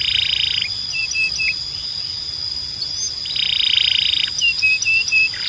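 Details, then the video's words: Canary singing in training audio used to tutor young males: a buzzy, rattling high roll lasting under a second, then a few clipped whistled notes, then another longer buzzy roll and more short notes, against a faint steady high tone. "You Won’t Believe How Fast Your Canary Starts Singing"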